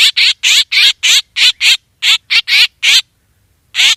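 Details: Rapid, choppy black drongo squawks used to lure birds for hunting, about a dozen harsh notes at an uneven pace, then silence and a single final squawk.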